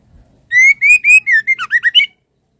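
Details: Female white-rumped shama calling the male: a long rising whistle followed by a quick series of about seven shorter slurred whistled notes, the later ones more broken and chattering. No background sound.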